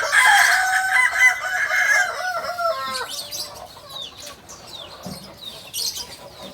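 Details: Genuine Kukuak balenggek rooster from Solok, West Sumatra, crowing: a loud, rich, harmonic crow lasting about three seconds with stepped pitch changes, then fading, while small birds chirp in the background.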